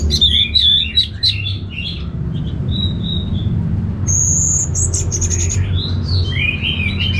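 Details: A captive orange-headed thrush responds to playback by singing at once, a quick, varied run of sweet whistles, chirps and thin high notes, over a steady low hum.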